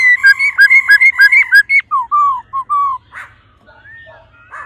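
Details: Female laughingthrush calling ro ro to stimulate the male: a fast run of loud pulsed harmonic notes with hooked inflections, then several falling whistled notes, fading into faint soft sounds.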